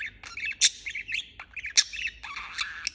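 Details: Budgerigar in continuous chirping, scratchy warbles interrupted by two piercing, bright squawks about a second apart, then a rougher buzzy passage.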